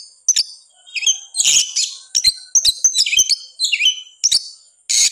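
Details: Oriental magpie-robin in a bout of song meant to excite reluctant singers: scattered short phrases of harsh buzzy bursts and thin high whistles separated by brief gaps.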